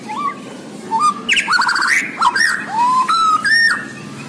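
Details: Borneo white-rumped shama delivering varied song: low whistled notes, then a rapid trill, slurred rising and falling whistles, and clear sustained tones near the end.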